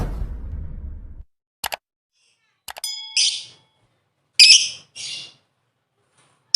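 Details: Lovebird calling to attract its mate, a few short, harsh, high chirps and clicks in scattered bursts, with a man speaking at the start.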